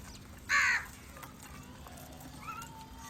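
A crow gives a single harsh, raspy caw lasting about a quarter second, followed by quiet background with faint distant bird notes.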